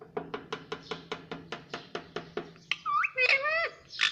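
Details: Pet talking parrot indoors, said to say "mummy" and "mitthu": a run of quick dry tapping pulses, then a few loud harmonic calls with rising and falling pitch, like voiced syllables, near the end.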